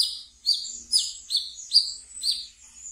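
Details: Wiceh kept as a pet, singing ngeriwik as a lure for training brown-throated sunbirds: five or six piercing, high down-slurred chirps about every half second, clean and close.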